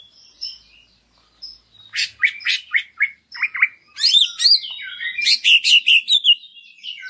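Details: Greater green leafbird lure song to raise other leafbirds' spirit: soft scattered whistles, then a lively series of sharp, quickly repeated downward-slurred chips and bright twittering notes.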